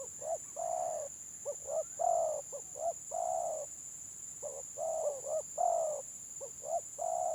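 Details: Gelang patah village spotted dove singing the stuttering 'gagap' song: two phrases, each of several short hiccuping notes woven between long mellow coos, a steady high electronic whine in the background.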